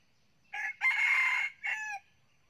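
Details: Nine-month-old red-plumaged junglefowl rooster kept as a decoy and trained in the forest, a keen morning crower. Its single crow runs about one and a half seconds in three parts: a short note, a long steady note, then a short ending note, with little other sound.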